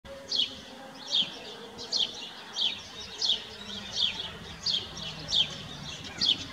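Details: Sparrow singing at close range in 2021: sharp chirps near the top of its range, repeated about every two-thirds of a second, steady and evenly spaced over faint background hiss.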